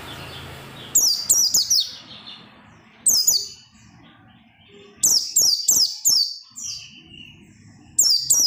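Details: Oriental white-eye song, loud and persistent, meant to set other white-eyes singing: repeated phrases of three to five quick, high, downslurred whistles, coming roughly every two seconds.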